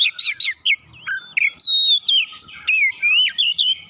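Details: Kacer, or Oriental magpie-robin, prompted to sing in full: a rapid varied run of whistled, swooping and buzzy notes, rising and falling phrases packed closely together with almost no gaps.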